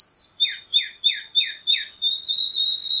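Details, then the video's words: Chalk-browed mockingbird song: a rapid run of five or six sharp downslurred notes, about three per second, over a steady high whistled tone that continues alone afterward. "Calandria Grande Canto - Calandria Grande - Chalk-browed Mockingbird Bird Song - Mimus Saturninus"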